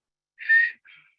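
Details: Black-capped Chickadee gives its learned two-note "fee-bee" song, typical of about 98% of its North American range: a higher, longer first note, then a softer, slightly lower second note, with nothing else heard.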